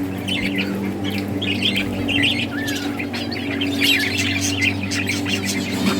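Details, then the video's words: Several budgerigars in a breeding setup chirp and warble in twittering, buzzy phrases, one brief rising whistle among the chatter, and a low mechanical hum runs steadily. "Budgies playing and chirping"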